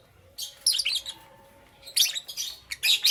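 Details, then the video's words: Three quick bursts of piercing, high chattering chirps from Green Opaline and Parblue Euwing Green Opaline lovebirds in the morning, with a quiet gap between the first two. "Lovebird Chirping Sounds"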